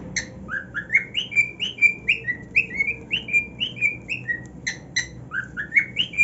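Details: Happy caged cockatiel singing at his new nest, a long run of bright whistled notes rising and falling in small steps, about two to three per second, with a few sharper chirps mixed in.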